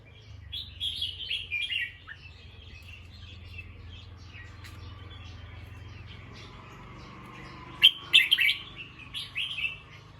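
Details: Bulbul alert calls after hearing a sound: scattered high chirpy notes at first, then a louder run of quick sharp chattering notes later, over a steady low hum.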